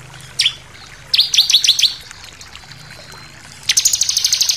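A bar-winged prinia gives high, sharp chirps in quick bursts, then a fast run of about a dozen bright notes; a faint low hum underneath.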